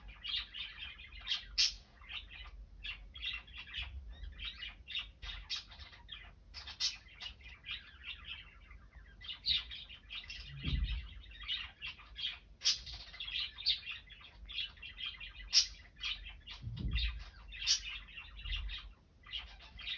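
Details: Budgerigars warble busily, giving a dense stream of chattering chirps, clicks and squeaky notes.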